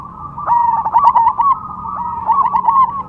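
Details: Zebra dove, Perkutut Cemani type, kept as a contest bird: two bursts of quick bubbling coo notes, each rolling rapidly at a steady pitch with a brief pause between.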